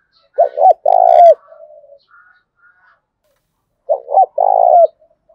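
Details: Lure-training coo of a spotted dove: two quick coos and a longer rolling note, given twice with a quiet gap, faint murmuring between phrases.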